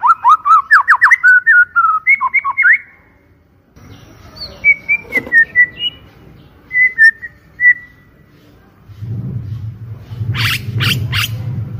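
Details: White-rumped shama trigger song: rapid bouncing whistled notes, a pause, scattered clear whistles, then harsh rasping bursts over low rumbling background noise.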